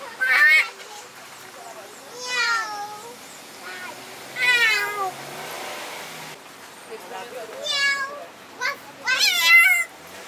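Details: Parrot at Jardin Botanique de Deshaies, Guadeloupe, imitating a cat's meow: five drawn-out, nasal, wavering meows rich in harmonics, each under a second long, spaced roughly two seconds apart against a quiet background.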